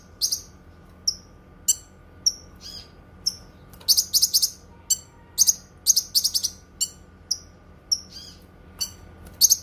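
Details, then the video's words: Cucak kinoi song of bright single chirps and whistled notes broken by quick stuttering trills in the middle, delivered steadily over a quiet hum. "Suara Kicauan Burung Cucak Kinoi"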